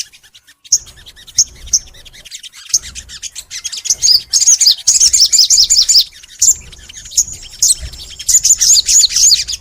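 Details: Caged crimson sunbird (sogon) singing long and energetically: scattered high thin chirps, then sustained stretches of rapid, very high twittering and trilling notes, pausing briefly before another dense chattering burst.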